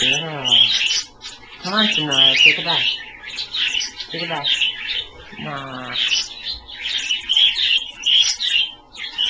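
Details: Pet Australian birds bathing for the first time in a shallow pie-dish 'pond' of water kept just below lukewarm; high chirps and twittering run throughout while a person talks over them in several bursts.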